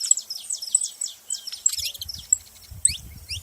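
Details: Saffron finch producing a series of high, thin chirps in quick succession, followed by a few sparser notes over low rumbling noise.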